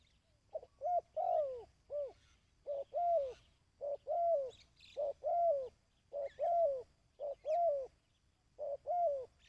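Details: Dove calling to rouse and train decoy birds, 2024: steady run of cooing phrases, short hoots paired with longer downward-curving coos, about once per second, with faint chirps from other birds.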